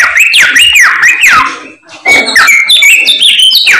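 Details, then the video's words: Insistent samyong bird song with bouncing whistled notes that swing up and down, a short break, then a rapid string of bright whistles and trills. "BURUNG SAMYONG GACOR, ADUHAI SUARANYA MANTAP"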